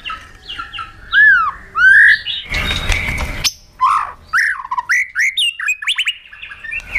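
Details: Provoked caged white-rumped shama in fighting song, flicking its tail: rich looping whistles and slurred notes, broken midway by a harsh noisy burst, then scattered sharp chips and whistles.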